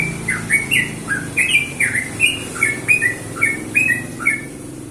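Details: Yellow-vented bulbul singing in the morning, a natural recording, its song meant to draw replies from other bulbuls; quick liquid bubbling phrases of short rising and falling notes, about ten in five seconds, over a low steady hum.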